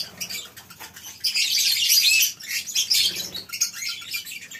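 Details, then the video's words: Lovebirds in a colony aviary on a breeding farm on a morning: scattered shrill chirps swell into a loud, dense burst of high squeaking from many birds, then thin out again. "Suara Love bird"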